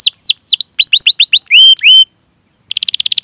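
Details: Canary song used as a lure for untrained or quiet canaries: a run of curving whistled notes ending in two longer level whistles, a short silence, then a fast buzzy trill.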